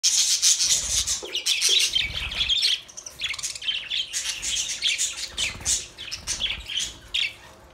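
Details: Budgerigars in a dense, continuous chatter of harsh squawks and high chirps, many overlapping calls packed together, loudest in the first half and fading toward the end.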